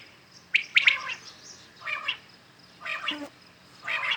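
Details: Morning calls of common quails, real birds recorded clearly for hunting: a crisp three-note whistled phrase opens, followed by three softer, nasal, buzzy notes spaced about a second apart.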